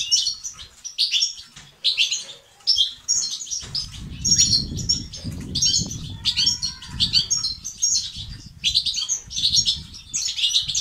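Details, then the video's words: European goldfinch singing batbata and sastasat, a song to make males sing and become active; sparkling twittered phrases with buzzy notes repeat in bursts for about eleven seconds, low rumbling noise growing in after the first few seconds. "أقوى بتبتة وستستات للتحفيز الدكور الحسون وتساعده في زيادة النشاط وتحفيزهم على تغريد وعلاج صمت حسون"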